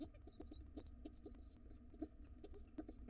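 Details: Hungry wild pigeon nestlings in a nest box begging for food when the father comes home; high, slightly wavering squeaky peeps repeat rapidly with soft low thumps and rustling between them.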